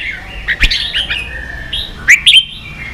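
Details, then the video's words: Caged red-whiskered bulbul competing in song, soft continuous warbling followed by two loud sharp whistled notes near the end, with a faint click early on. "Chào mào kích đấu căng lửa chơi cực hay"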